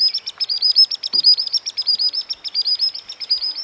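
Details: Common Sandpiper from Central Russia giving its display song: a rapid, high, thin trill of sharply repeated piping notes, about eight per second, running steadily throughout with little else audible.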